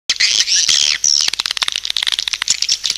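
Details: Swiftlet lure call: dense, high twittering chirps with sharp clicking ticks, a bright sustained trill in the first second giving way to rapid broken chatter.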